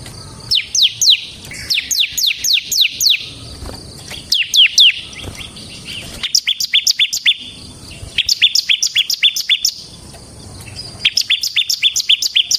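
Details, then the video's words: Bar-winged prinia, semi type, singing to lure and train other birds: repeated bursts of fast, high downward-sweeping notes, each burst about a second long, separated by short pauses. "suara burung CIBLEK SEMI GACOR Ngebren Ampuh untuk Pancingan Ciblek Kristal dan Masteran Ciblek"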